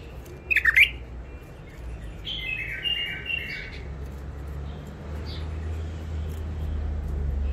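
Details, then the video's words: Wild-caught bulbul from Mandali in its first isolation: a loud, quick slurred note pair, then a longer mellow warble of level whistled notes, with a faint later chirp and rising low rumble. "بلابل وحشيات خامات كاع منفذ مندلي لسانات روعه"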